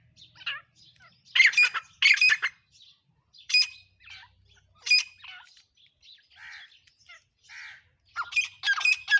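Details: Black francolin giving harsh, squawking bursts in separate clusters, with softer rasping notes between them and a quiet background.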